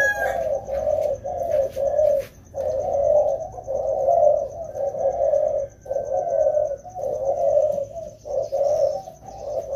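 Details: Two wild-caught spotted doves being trained during the rainy season give low, hooting coos in rapid phrases, each lasting about half a second to a second with short gaps. A faint, steady high pulsing tone runs throughout.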